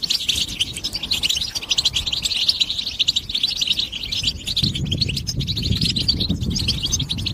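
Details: European goldfinch stimulation song (bebtaba): continuous dense, high twittering and tinkling chirps, with a low background rumble that swells in the second half.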